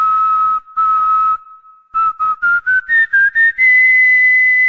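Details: Pet cockatiel whistling the Corinthians anthem: two sustained pure whistled notes, a pause, then a quick run of short notes climbing step by step in pitch and ending on a long, higher held whistle.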